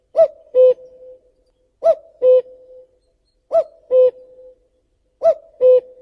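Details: Common cuckoo giving its classic cuck-oo four times in steady rhythm, roughly every 1.7 seconds; each pair is a higher first note falling to a lower second note, with quiet in between.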